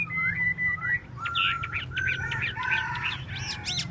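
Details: Chinese hwamei, tail-dancing, opens with long, level whistles and follows with a busy jumble of sharp rising and falling notes and trills. A low hum sits beneath.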